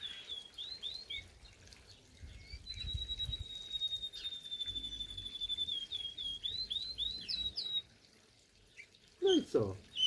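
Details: A canary in a garden aviary with chickens and parrots on 27 April 2025, around 11:21, sings high, bright chirps and looping trills with one long, level whistled note. Low rumbling and a brief voice come near the end.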